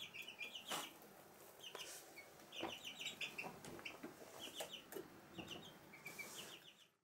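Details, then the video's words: A hen's chicks in a room of a house, Sandoval de la Reina, April 2016, give quieter bursts of high peeping with a few faint, low clucks and some scattered knocks or clicks. "Gallina con pollitos"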